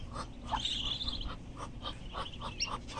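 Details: Thirteen black-bellied whistling duck chicks at feeding time in Boca Raton, Florida, USA, giving a continuous chorus of short high peeping notes, several per second, with a brief thin whistle near the start.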